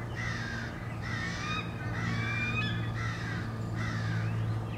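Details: A mob of crows chasing a male bald eagle back to its nest, 30 March 2016: hoarse, rasping caws repeat about four times a second in an uneven series, with a low hum underneath.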